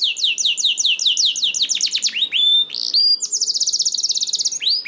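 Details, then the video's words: Canary singing repeated falling sweeps that speed up, then a pure whistled note and a sustained high rapid trill; song used to get other canaries singing. "PANCINGAN KENARI 1 MENIT MENDENGARKAN SUARA KENARI DIJAMIN KENARI IKUT BUNYI"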